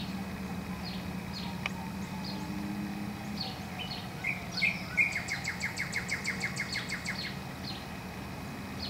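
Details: Spring 2014 cardinal song: many scattered high chirps from birds nearby, then a bright, fast-repeated series of down-slurred whistled notes lasting about two seconds, faint steady hum beneath.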